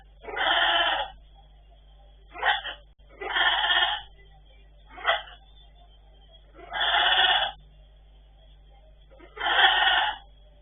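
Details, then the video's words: Pet blue-and-yellow macaws talking and sneezing: loud harsh nasal utterances roughly every two to three seconds, about four longer bursts alternating with short clipped sounds, quiet room between. "Gold and blue macaws parrots talking and sneeze"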